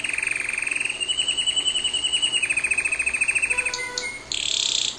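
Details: A pet canary singing one long, steady, rapid trill of pulsed notes for nearly four seconds, followed by a few sharp high notes and a harsh buzzy burst.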